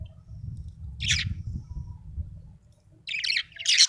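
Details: Budgerigar in happy mood: one brief buzzy chirp, a pause, then two louder rasping chatter bursts at the end, low hum underneath.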